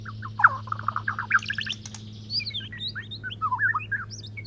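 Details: Male white-rumped shama singing to court a female and bring her into breeding mood: a rapid jumble of short chirps and slurred notes, jumping between low and high pitches. A steady low hum runs underneath.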